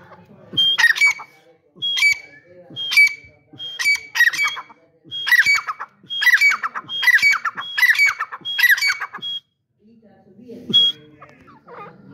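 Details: Caged grey francolin, known locally as Dakhni teetar, calling loudly: about nine harsh, ringing multi-note phrases repeated roughly once a second, then a pause, one more phrase and faint clattering and a brief human voice.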